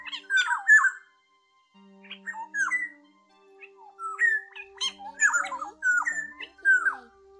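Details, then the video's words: Migrating orioles in Vietnam in August, calls used to lure a passing flock into net traps: clipped, slurred whistles and harsh chattering notes in quick bursts, with steady low electronic tones underneath. "TIẾNG CHUẨN GỌI BẦY"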